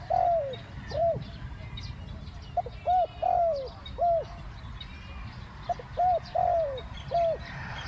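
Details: Decoy spotted dove luring wild doves with a two-word 'ku-ang' coo: soft hooting notes grouped as a brief lead note followed by a drawn-out downslurred coo, phrases spaced a few seconds apart, faint chirps of other birds above.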